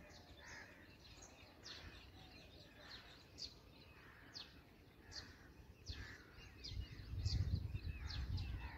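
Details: Begging from black drongo nestlings at feeding: sharp, high downward-sweeping squeaks repeat every half second or so, joined by lower chattering notes, with a rumble of handling noise building toward the end.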